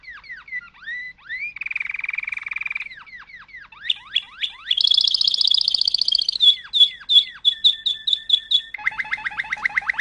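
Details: Malinois canary performing a long varied song: drooping whistled sweeps, a buzzing roll, sharply rising slurs, a bright high rattling tour, quick ticking notes, and a final deep pulsed trill.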